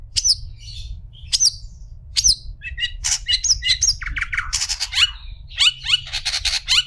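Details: Long-tailed shrike tutor song meant for teaching other shrikes: a few sharp high notes at first, then a fast, varied jumble of buzzy chirps, whistles and rasping notes, over a low steady hum.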